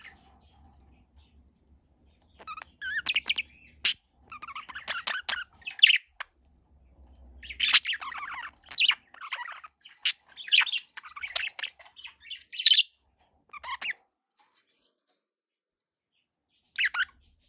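A budgerigar chatters in a rapid jumble of high chirps, squeaks and warbled notes.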